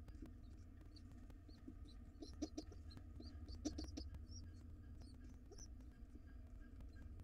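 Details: Hungry wild pigeon nestlings beg for food when the father returns to their nest box. Short, high squeaky notes come in scattered bursts, with a few soft low thumps, over constant low background hum.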